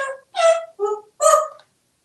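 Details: Chatty African grey parrot, a male kept as a house pet in Texas, voices four rough, speech-like syllables in quick succession, each a harmonic-rich burst separated by brief gaps.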